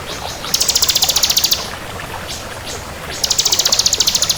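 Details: Bar-winged prinia of the 'kristal' type singing eagerly: two fast, very high, evenly pulsed trills of about one second each, separated by a quiet pause with a few faint notes.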